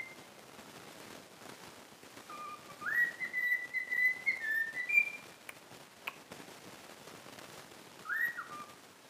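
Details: Pet cockatiel, trained for about a week, whistling the learned tune "If You're Happy and You Know It": a run of clear whistled notes stepping between higher and lower pitches for about two seconds, then a short rising-falling whistle after a pause.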